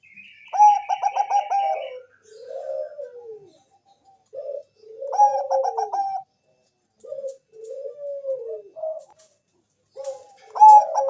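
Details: Lure song of a perkutut bangkok zebra dove, meant to get other doves singing: rapid staccato bursts of clipped notes lead into drawn-out, falling coos, the pattern repeated several times with brief silences between.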